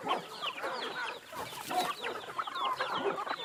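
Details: Flock of free-range chickens at feeding time in Brazil, a dense chorus of overlapping short clucks, squeaky rising and falling peeps and chatter running throughout with no pause.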